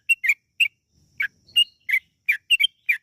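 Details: Lure recording of a yellow-vented bulbul singing, meant to set birds off into long rapid song: sharp, separate chirpy whistled notes at an uneven pace, a few falling, with short silent gaps.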